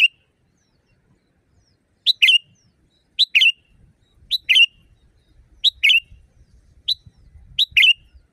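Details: Sooty-headed bulbul in nature, a training recording for caged birds: rapid run of paired notes, a sharp pip then a rich bubbly chirp, repeated roughly every second, with light rumbling background.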